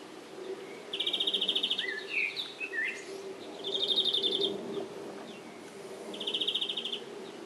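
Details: A European greenfinch, buffeted hard by the wind, sings three rapid, rattling trills about every two and a half seconds, with twittering notes between, over a steady low wind rumble.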